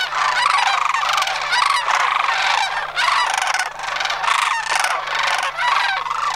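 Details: Sandhill cranes on autumn migration at Homer in September 2009, from a flock of about 100. Loud rolling, rattling bugles overlap continuously, each call a trilled burst with rich harmonics, several birds calling together.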